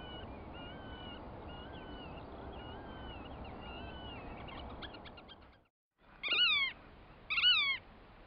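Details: Black-tailed godwit at the Arkemheen in the Netherlands: a distant chorus of thin whistled bird calls over steady low rumble, then a pause and two loud nasal, arched calls with rich overtones about a second apart.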